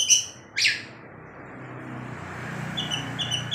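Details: Long-tailed shrike singing vigorously at night, flicking its tail: two loud harsh scratchy bursts in the first second, then a quiet gap, then faint thin high notes repeating near the end over a low background hum.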